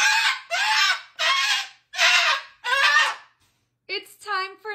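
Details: A pet cockatoo fusses and yells at 10:15 at night, refusing to go to bed: five loud, harsh screeches of about half a second each, closely spaced, then a shorter, more tonal, wavering call.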